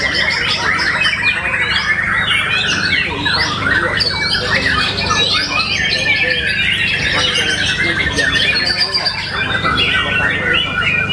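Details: Caged White-rumped Shama singing at a songbird contest in Solo, Indonesia. The winning bird's volume was judged exceptionally strong. Dense, overlapping whistled and chattering phrases sweep up and down without pause, with several birds singing at once over a steady low hum.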